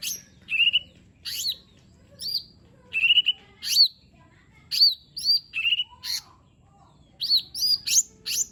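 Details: Lesser green leafbird singing, played to lure a reluctant bird into song; varied high whistles, short downslurred notes and buzzy chips come in spaced bursts, some phrases repeated, over a faint low hum.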